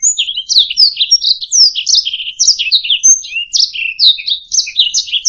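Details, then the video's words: Singing canary used to train other birds, delivering quick slurred whistles, falling sweeps and brief rattling trills in a lively, unbroken high-pitched phrase. "Ocehan Burung Kenari"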